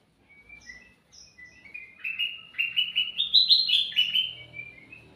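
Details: Energetic sooty-headed bulbul song, used as a lure for other birds: thin high whistles lead into a long run of rapid, chattering notes that climb slightly and hold at a bright pitch before trailing off.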